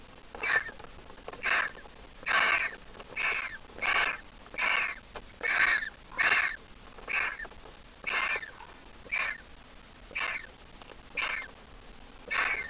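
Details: Nearly fledged Griffon vulture nestling of Jerusalem Biblical Zoo origin. A long run of rasping, wheezy squeaks, roughly one per second, with uneven spacing.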